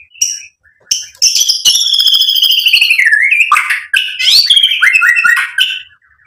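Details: White-rumped shama (murai batu) singing a lure song to provoke and excite: a few sharp notes, then a long buzzy rattling trill sliding downward, followed by varied whistled slurs.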